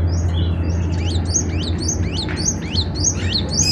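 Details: Cinereous tit, a caged songbird singing constantly, its song used for tutoring other birds: a rapid series of sharp down-slurred whistled notes, closely repeated, over steady low hum.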